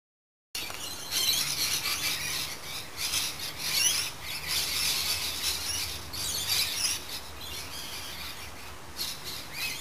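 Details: Birds singing in a garden in the late afternoon: a dense chorus of high, scratchy chirps and twittering notes overlapping almost without pause, with a faint low hum underneath.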